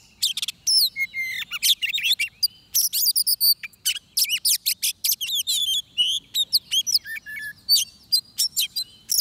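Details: Oriental magpie-robin singing at a bird trap: a rich, rapid stream of varied notes, with sharp whistles, upslurs and buzzy trills pouring out almost without pause, high-pitched and loud against a quiet background.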